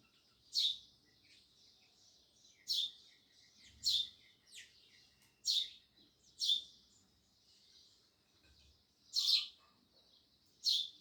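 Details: Loud sparrow chirping: sharp, high chirps every second or two, each a quick downward-sweeping note, with low rumbling background noise.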